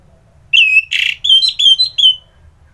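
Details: Orange-headed thrush, loud and close, singing a brisk phrase of piercing whistles with one harsh, noisy note early on, then a steady series of short, clear whistled notes at similar pitch.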